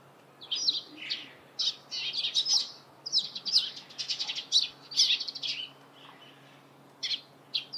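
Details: Morning chorus of Eurasian tree sparrows: rapid high chirps tumble over one another in bursts for several seconds, then thin out to a few scattered, sharp tweets near the end.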